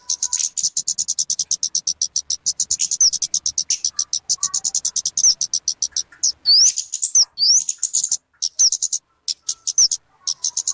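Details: Kemade (talokan) voice suited to luring birds or tutoring captive songbirds: fast runs of sharp, high chirps with occasional upward-sweeping whistles, packed closely together, and a soft low hum early on.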